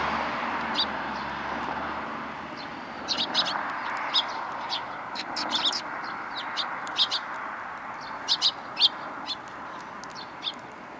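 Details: Sparrows arriving to be fed on a Tenmangu shrine approach on 12 April 2020 give many quick, high chirps in loose bursts, denser in the second half, over a steady mid-pitched background murmur.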